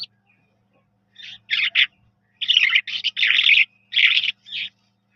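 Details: Eurasian skylark (jal mashadi) delivering a run of dense chattering, buzzy syllables after a brief quiet start, several bursts packed close together, high-pitched, with a low steady hum beneath.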